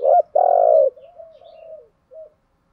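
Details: Spotted dove used as a decoy to stir wild doves: a short loud coo and a long booming note, then a softer, wavering trailing coo and one brief final note.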